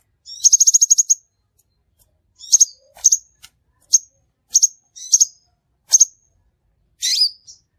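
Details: Crimson sunbird calls used as a lure for trapping: a quick high, sharp trill of chips, then single piercing metallic chips repeated about every half to one second, ending in a buzzier note; no background sound.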